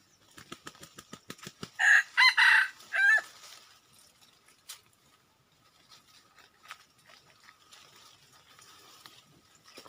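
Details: Wild junglefowl rooster crowing: one loud, harsh, broken crow of several rasping syllables, the last notes drawn out and bending downward. Faint soft clicking comes before it, then near quiet.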